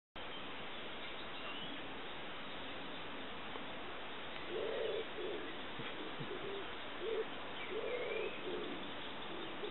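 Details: A singing Little bittern on the Forez plain, Loire, France, in May 2012 gives short, deep, croaking barks, one every second or two, from about halfway through, over a steady background hiss.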